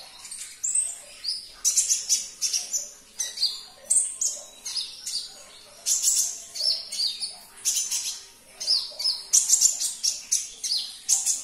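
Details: Olive-backed sunbird, played to get a caged bird singing: continuous lively run of piercing high chirps and twittering trills, dense and rapid with barely any pauses.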